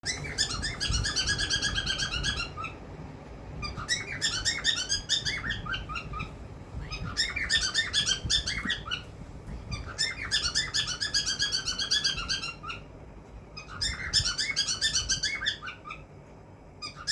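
A cockatiel gives bursts of bright, warbling chirps, each lasting about two seconds, with short pauses between.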